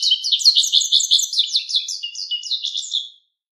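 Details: Japanese wagtail song, a lively three-second run of rapid, high, sweet twittering notes that slowly fade at the end, with no other sounds.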